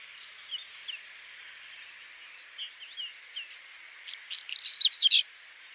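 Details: Faint, scattered chirps from a Whinchat lead into a louder final burst of dense, scratchy, rapidly repeated song notes near the end.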